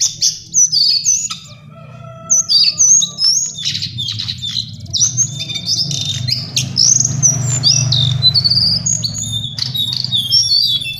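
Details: High, rapid warbling of a lesser shortwing: sweet slurred whistles and chattering notes in quick bursts, separated by brief gaps, with a faint low hum underneath.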